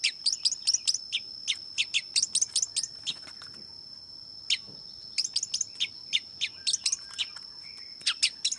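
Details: Rapid runs of harsh, chattering notes from a long-tailed shrike in two bursts with a quieter gap between, over a steady shrill whine.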